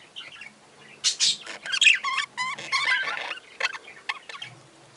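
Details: Young budgerigars chatter in quick, scratchy bursts with short rising chirps and buzzy warbles, several overlapping in busy runs.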